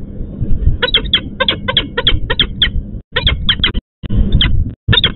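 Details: Rapid series of rasping, emphatic notes from a female peregrine falcon in Łódź, Poland, calling the male who has not come to relieve her at the nest, with brief pauses between runs.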